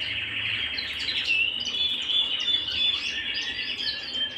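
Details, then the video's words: Canary at home singing a dense, unbroken high-pitched rolling song with fast chattering notes that hold a steady, even tone throughout. "canary bird - canary singing - canary sounds - canary singing at home"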